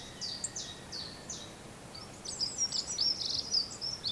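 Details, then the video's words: Singing robin: a few high, sliding notes spaced apart, followed by a quick, jumbled run of thin twittering notes and warbles. "Beautiful singing of robins"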